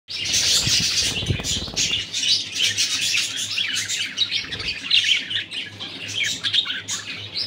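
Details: Moody male budgerigars chattering continuously, a dense overlapping mix of warbled chirps and short squeaky notes with a steady low hum beneath.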